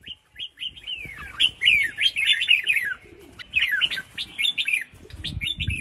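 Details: Caged female red-whiskered bulbul calling to trigger male song: long sequences of quick downslurred whistled chirps, paused around three seconds in, then resuming with many rapid notes.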